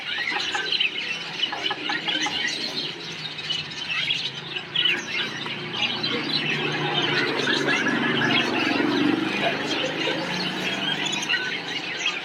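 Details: Parakeet colony chirping, a dense, overlapping chatter of many high squeaky chirps and squeals, constant throughout, over a steady low rumbling background noise.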